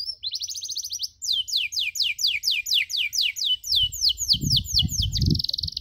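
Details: Canary song as master for young canaries learning cuit cuit: a buzzy trill followed by a long regular run of loud downslurred chirps, ending in another buzzy trill, with low thumping noise near the end.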